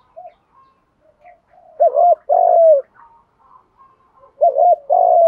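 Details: Cooing spotted doves, male and female, played to coax decoy birds to call back; two clear phrases, each a wavering double note then a long falling hollow coo, about two and a half seconds apart.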